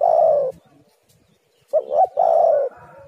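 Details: Spotted dove calling to lure other doves: a long falling coo, a pause, then two short rising coos and another drawn-out descending coo.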